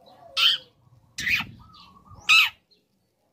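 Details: {'caption': 'Young long-tailed shrike singing, used to provoke other shrikes to answer: loud, harsh, high bursts spaced about a second apart, with a soft whistle and faint low rumble between.'}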